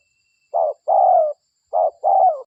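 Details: Local spotted dove cooing as an Indonesian lure sound. Two phrases, each a short note and then a longer husky coo that tails downward, in a silent background.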